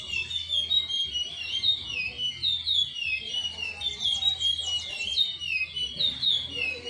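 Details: Timbira-style song of a chestnut-bellied seed finch: a rapid run of bright whistled slurs, partly trilled in the middle, continuing without pause over a faint low rumble.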